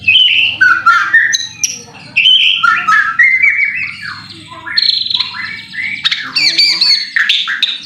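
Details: White-rumped shama song played as a lure to make other shamas sing fiercely: a lively stream of varied whistles, sweeping slurs and rapid chatter, about four notes a second, over a faint low hum.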